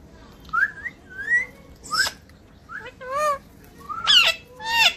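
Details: A talking parrot gives a series of short gliding whistles mixed with harsh, broadband squawks, about six sounds in five seconds with quiet gaps between them.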